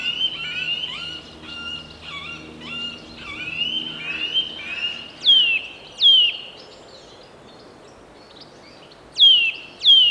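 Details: Wild Eurasian nuthatch during nest building, captured on Tascam DR60D II with Sennheiser MKE 600: rapid flat whistled notes, then loud sharp downslurred whistles in spaced pairs against a low background hiss.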